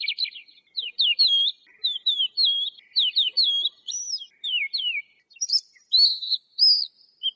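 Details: Clean lark song: a long series of quick, sharply slurred whistled notes, each lasting a fraction of a second, with a few higher squeaky phrases near the end.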